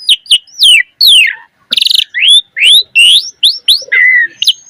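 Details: Singing Asian pied starling in lively form with varied filler notes, meant to spur other starlings into song. Long downslurred and upslurred whistles alternate with a rough rattling burst and a lower flat whistle.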